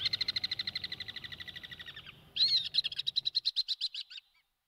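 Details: Alpine swifts in flight above Dubrovnik's streets, Croatia, August 2018, giving fast trilling screams. One trill fades out, then another starts sharply and slows and weakens before stopping.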